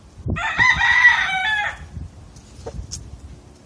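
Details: Rooster giving a single harmonic-rich crow lasting over a second, steady then dropping at the end, followed by quieter low thumps and a faint short high note.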